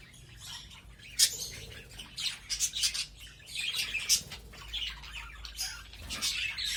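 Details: Budgerigars in an aviary that is filling up with birds: a dense, high chattering of quick chirps and squawks from several birds, with sharp bursts and brief wingbeats.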